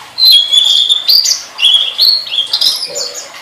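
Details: Tledekan master training song: a continuous run of high, clear whistled notes that step up and down in pitch, with short slurred and chattering phrases linking them.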